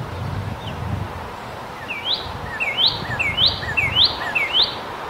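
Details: Northern cardinal singing, a quiet stretch with low background rumble giving way to a steady series of bright slurred whistles, each dipping then sweeping sharply upward, repeated about every 0.6 seconds.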